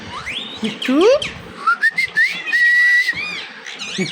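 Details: Pet Indian ringneck parakeet talking, mixing squeaky speech-like syllables with clear whistled notes, a rising slur then a held whistle, amid household noise.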